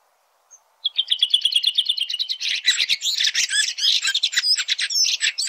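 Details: Red-throated thrush (Turdus ruficollis) singing in nature: after a short quiet start, a fast trill of evenly repeated high notes runs for about two seconds, then breaks into dense, scratchy, jumbled twittering until the end.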